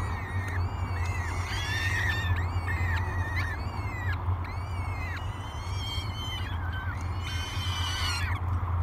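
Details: Peregrine falcon chicks, three of them, begging at breakfast on a nest cam at Great Spirit Bluff, 24 May 2022: a rapid series of harsh, arching, harmonic wails, one after another, over constant low-pitched background hum.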